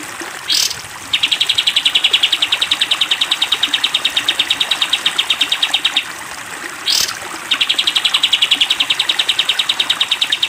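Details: Training recording for cage birds featuring a sooty-headed bulbul's 'tembak panjang' song: two long, dense five-second trills of fast, uniform chattering notes, each preceded by a short rushing burst.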